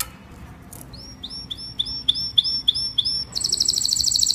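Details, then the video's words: Flock-calling canary song: about eight clear down-slurred whistles repeated roughly three per second, followed by a fast, high, buzzy trill. "Tiếng chim Hoàng Yến hót gọi đàn"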